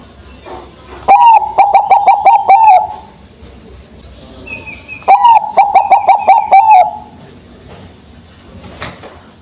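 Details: Bangkok-type zebra dove, a caged songbird singing after being set out in the morning dew: two loud phrases, each a quick run of staccato cooing notes ending in a drawn-out coo, about four seconds apart.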